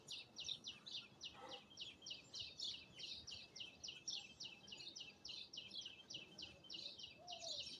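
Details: Birds chirping in Azad Kashmir; quick, evenly spaced high chirps repeated about three or four times a second, over faint background noise.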